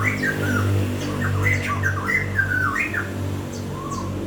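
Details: Bird singing a rapid series of slurred, wavering whistled notes, some rising and some falling, strung together in a chattering phrase over a steady low hum.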